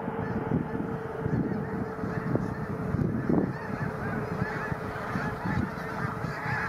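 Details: Huge migrating flock of snow geese, thousands strong, settling onto a pond beside a county road in North Dundas Township before heading south for winter. Massed nasal honking overlaps constantly, with a few louder calls standing out near the middle.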